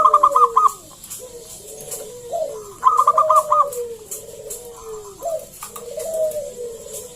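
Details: Zebra dove of local stock singing loudly to coax other doves to answer: two bursts of five or six crisp, clipped notes about three seconds apart, among repeated low sliding coos.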